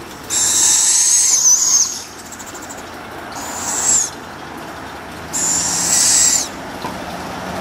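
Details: Young captive barred owl chicks in a humid yard in the morning, being hand-fed, give three harsh, rasping hisses, each about a second long, with quiet human voices in the background.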